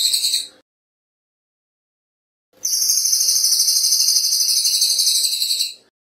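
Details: Cililin bird training song, fast and densely packed, clear-voiced: a short trill ending, two seconds of silence, then a three-second high, buzzy, finely pulsed trill.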